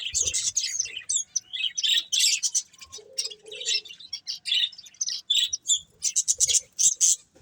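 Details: Budgerigar breeding pair producing steady bursts of bright, buzzy chirps and warbling chatter, roughly one burst every half second, with a faint low hum midway.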